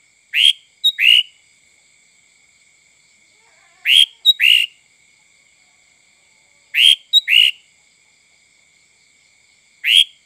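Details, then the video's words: Sooty-headed bulbul song, played to lure other birds. Short, bright whistled phrases of two or three notes recur about every three seconds, with a steady faint high hum behind them. "Suara Kutilang Full mbesettt cocok untuk memancing burung lain"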